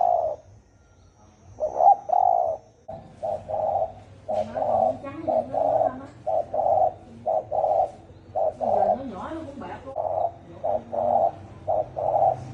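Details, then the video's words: Spotted dove in the hoarse 'thổ ồm' voice style, used to provoke 'thổ đồng' doves: a fast run of short, low, hollow coos, nearly one every half second, with faint wavering lower tones underneath. "Tiếng chim cu gáy thổ ồm kích thổ đồng siêu tốc lên cực nhanh cực hay"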